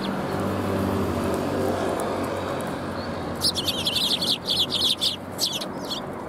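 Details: Sparrows coming to be fed at a Tenmangu shrine on 4 January 2021; a quick burst of high, sharp chirps from several birds in the second half over a steady low rumble of background noise.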